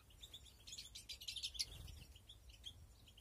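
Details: European greenfinches breeding in an aviary flight cage in 2021, with nests present. Rapid high chirps and short buzzy twitters, bunched in a busy burst in the middle, over a low background rumble.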